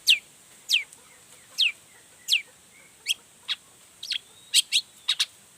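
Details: Long-tailed shrike calling to make other shrikes respond: a series of sharp, downslurred whistled notes about two-thirds of a second apart, ending in quicker paired chips.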